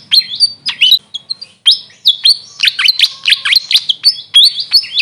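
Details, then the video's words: Grey fantail giving a fast, high, squeaky twitter of chirps and short sweeping notes, in quick bursts with brief pauses between them. "Grey Fantail bird call||huni ng Maria Capra kung sa amin tawagin"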